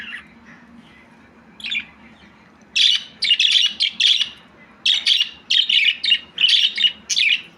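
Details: Chattering budgie: a faint chirp, then a dense run of loud, harsh, rapid chirps in bursts, roughly one and a half per second, over a soft background hum.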